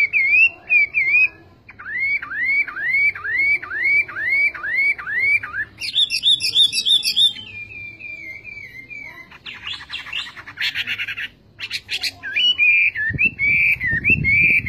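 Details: A Chinese hwamei sings a long phrase of repeated looping whistles, about seven in a row. Higher rapid trills and a sustained whistle follow, then harsh scratchy bursts and more mellow whistles.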